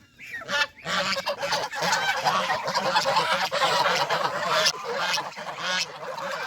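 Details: Farm geese in the countryside, leaving their pen to feed on fresh greens and play in water, raise a dense chorus of overlapping nasal honks that carries on almost without pause.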